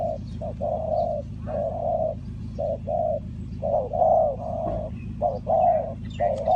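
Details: Spotted dove, Ninh Thuận, heard during bird trapping, with mellow coos of mixed length in loose groups and a faint chirp or two above a low droning background.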